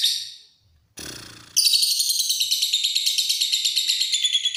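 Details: Lovebird in ngekek style: a brief high chatter, a pause, a short noisy rasp, then a sustained, loud, fast-pulsed shrill trill running without a break to the end.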